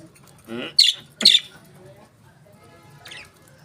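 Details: Budgerigar giving a short warbled note followed by two sharp, loud high chirps, then a faint thin chirp after a pause, over a low steady hum.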